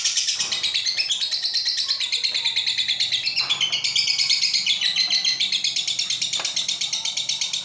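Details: Lovebird delivering a long ngekek, genuine unedited sound. Continuous shrill chattering trill, quick buzzy pulses with small pitch shifts, carried on steadily throughout.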